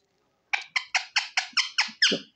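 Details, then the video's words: Pet ringneck parrot indoors uttering eight rapid harsh, grating squawks in an even series of roughly three per second, the last one longer; a woman asking questions in Hindi before and after. "Beautiful Ringneck Parrot Talking | Parrot Natural Sounds"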